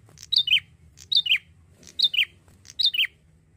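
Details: Actively singing young male bar-winged prinia, a lure bird from Indonesia, repeating a crisp paired phrase of a high note dropping to a lower slurred note about four times, under a faint low rumble.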